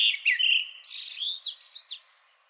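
A Common Blackbird sings one phrase: a few mellow, fluted whistles that run into a brief, higher, scratchy twitter, then fall silent.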